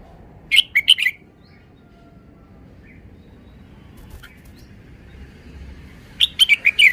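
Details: Singing red-whiskered bulbul: brisk phrases of quick, bright whistled notes that rise and fall, one near the start and another after a five-second gap, with light low background noise.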